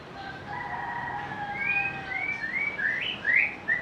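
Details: Softer, more distant shama song: long thin tones at first, then a series of short rising whistles climbing in pitch, ending in bright quick notes.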